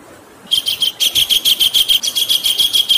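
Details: Kingfisher calling in a masteran recording for training contest or home songbirds, with flowing water in the background. Quiet at first, then a long rapid series of piercing, high, chattering notes repeated about three times a second.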